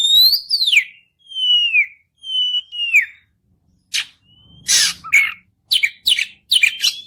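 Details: Oriental magpie-robin in continuous 'gacor' singing used to make a quiet bird answer: pure downslurred whistles repeated about once a second, then harsh raspy bursts and short chirps.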